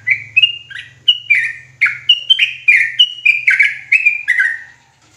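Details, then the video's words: Sooty-headed bulbul in agitated, nonstop song: a dense chain of liquid, slurred whistles, each dipping in pitch, about two a second, over a faint low electrical hum. "Trucukan gacor ROPELAN NGOTOT EMOSI !!!"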